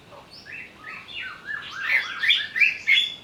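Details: Greater green leafbird singing while agitated after being provoked: a quick cascade of descending whistled notes building into a dense, loud jumble of chirps and scratchy trills.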